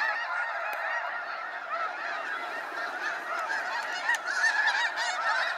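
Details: Snow geese leaving Sacramento National Wildlife Refuge in waves at sunset, dense overlapping honking swelling louder near the end, with scattered clicks.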